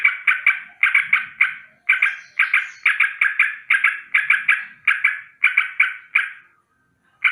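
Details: Morning alarm of a sooty-headed bulbul (trucukan), a loud rolling chatter: clusters of two to four harsh, rattling notes repeated steadily for several seconds, ending in a brief pause before another burst.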